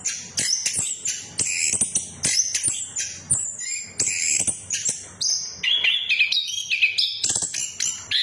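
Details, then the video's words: Orange-headed thrush in a 'ngeriwik' and 'ngeplong' style, used to coax silent birds into song: quick bursts of sharp high whistles and chirps, each lasting under a second, then clearer sustained whistled notes near the end. "Pancingan Anis Kembang Macet, Anis kembang Macet Bunyi"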